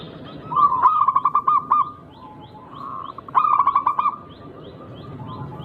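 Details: Zebra dove of a local wild line, noted for a unique rhythm and played to provoke rivals into replying: two matching phrases of rapid pulsed coos about two and a half seconds apart, with softer murmuring coos between.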